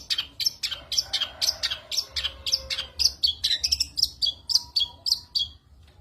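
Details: Long-tailed shrike (cendet), a kept songbird, in energetic 'gacor full tembakan' song with mimicked 'isian' fill. Sharp, high notes repeat roughly twice a second in a steady, choppy series, with a faint low hum beneath.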